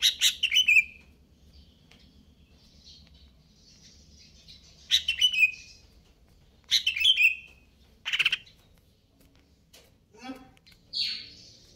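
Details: Greater green leafbird singing kejer nembak style. Scattered sharp, descending whistled phrases come every couple of seconds, with a few clicks and a brief nasal note between them in otherwise quiet surroundings.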